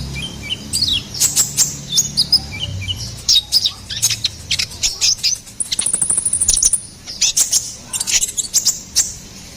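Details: Ruby-cheeked sunbird in sputtering high song, used as a lure and tutor for songbirds. Ticking bursts and squeaks give way midway to a fast, very high buzzy trill, then more chips.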